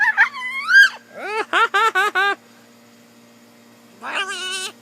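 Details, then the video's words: Blue-and-gold macaw talking while riding on a shoulder: a loud wavering voice-like phrase, then four quick evenly spaced harmonic syllables, a pause of near silence, and a final drawn-out quavering note. "talking and jabbering (Macaw Talking, Parrot Talking)"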